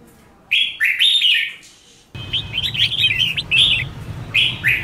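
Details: Red-whiskered bulbul in competitive singing, used for training birds: short bright whistled warbling phrases, rising and falling, in two bursts separated by a brief pause; a low steady hum enters halfway through.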